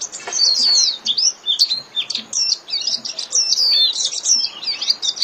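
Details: Japanese white-eye singing in the líu style, used to train caged birds: rapid high chattering twitters and slurred sweeping notes tumbling in continuous bursts, with brief pauses between phrases.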